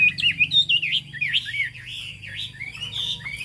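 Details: Chinese hwamei singing in the 'cao cầu' style: fluid, rolling whistled phrases that rise and fall, ending in a long upward-gliding whistle.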